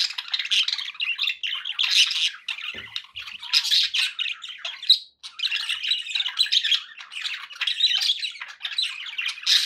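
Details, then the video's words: A group of pet budgies chatters loudly and nonstop, overlapping squawks, chirps and warbles forming a dense noisy chorus with one brief lull near the middle. "1 hour of budgie sounds with background noise for relaxation"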